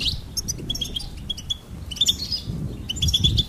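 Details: High, sweet goldfinch phrases of quick repeated chirps, with sharper twittering flourishes in between and some low background rumble.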